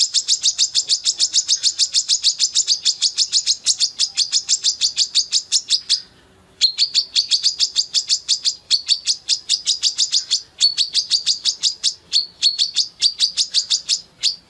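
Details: Female brown-throated sunbird, a caged bird singing with open beak, used as a master song for training: rapid high-pitched chips, about three per second, in long unbroken runs with one short pause midway.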